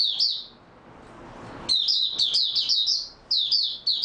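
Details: Oriental white-eye song: a short high twitter, a pause of over a second, then a run of quick, jumbled, high-pitched warbling notes in back-to-back phrases.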